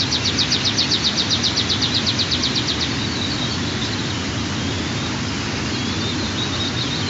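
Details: White-tailed eagle chicks aged 23 and 25 days during the third feeding of the morning at the Altynychi nest, 15 June 2023; an even, rapid series of about fifteen high chirps for three seconds, then steady hiss.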